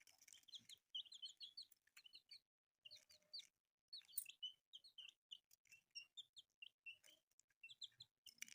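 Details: Newly hatched colourful chicks peeping together: dense, high, short down-slurred cheeps overlapping in quick bursts, with a brief pause near the start and another around three and a half seconds.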